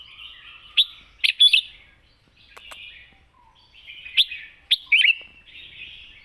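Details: Red-whiskered bulbul singing a wild-style song with long phrases: two bright, warbled bursts of quick rising and falling notes, each followed by a softer, buzzy trailing phrase, with quiet pauses between.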